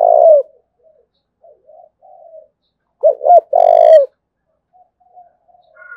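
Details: Spotted dove from Đồng Nai, Vietnam, giving the cooing style called thúc bổi: a loud drawn-out coo, then a quick double note leading into a long falling coo, with softer distant coos from other doves between phrases.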